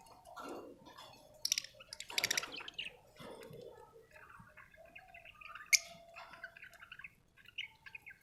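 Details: Chirping budgerigar, an Australian bird: soft grating notes and a couple of bright high squeaks, then a quiet, continuous warbling chatter of short chirps.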